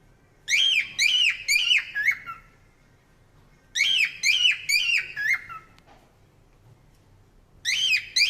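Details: Parrot chirping in three bursts of high, bright squeaky notes, each burst a quick run of four or five chirps separated by quiet gaps.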